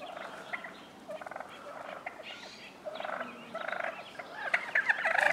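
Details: Wild turkey toms fighting in Willits, California; quick gobbling bursts build from quiet to loud, growing denser toward the end.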